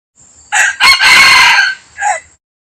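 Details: Rooster giving a full cock-a-doodle-doo. It is loud and raspy, with a short opening note, a long strained middle phrase, and a brief falling final syllable, then quiet.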